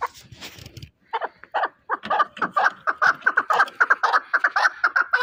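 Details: Fighting chukar partridge from Shahritus calling: after a few soft, scattered notes, a rapid run of harsh clucking notes builds into a steady, accelerating chatter, roughly two notes a second, growing louder toward the end.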